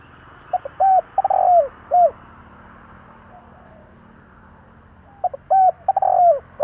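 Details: Two cooing phrases from a spotted dove about four seconds apart, each a cluster of short notes, a round hoot, a drawn-out falling coo and an ending hoot, over a low background rumble. Used to excite decoy birds.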